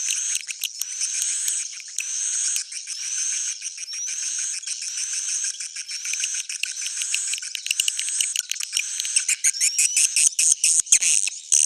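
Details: Old-style swiftlet sound: a long stream of high, hissing twitters and rapid clicking chirps that grows more broken and staccato toward the end, with faint upslurred whistles woven through.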